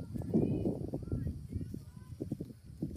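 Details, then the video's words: A turkey answers a person's gobbling with a rapid, low gurgling gobble, a rattling burst of pulses repeated across a few seconds, with the person's voice nearby. "Turkey Sounds: Funny Turkey Gobble Gobble"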